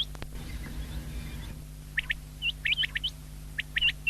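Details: Common quail (batair), 19 February 2024: after a second and a half of rumbling handling noise, quick high whistled notes start up, clipped and rising, in close clusters.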